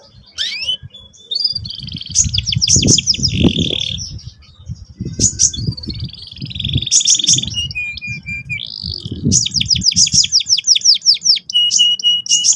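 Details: Canary training song for young birds: rolling trills and buzzy repeated notes in phrases, interspersed with sharp high chirps, over steady low-pitched background rumble and thumping.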